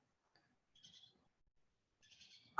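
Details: Pine siskin flight calls from birds flying over a neighbourhood in December, where about 100 siskins were present: two short bursts of high, buzzy, wheezy notes about a second apart, over faint low room noise.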